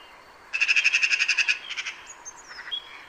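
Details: Harsh, fast rattle of a Eurasian magpie, about a second of rapid grating notes fading into a few looser ones, followed by thin high whistled notes from another bird.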